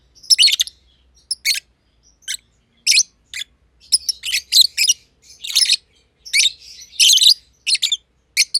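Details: Two masked lovebirds, a green and a green pied personata, kept together in a simple aviary; one under a year old, the other there since early 2020. Harsh, scratchy high chirps in quick bursts, some doubled, with short pauses between.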